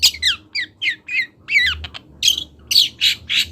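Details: Long-tailed shrike, a young local bird from Kendal, practising song with a quick series of downslurred whistles followed by harsher, buzzy rasping notes, all loud and close, over a low hum.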